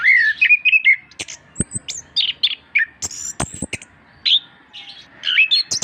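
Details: Orange-headed thrush singing, a master recording to get reluctant birds singing: continuous varied whistled notes and slurs interspersed with sharp high clicks, fairly loud throughout.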